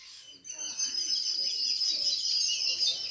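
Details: Birds chirping indoors at home: a dense, continuous chorus of high, thin, rapid tweets overlapping one another after a brief quiet start.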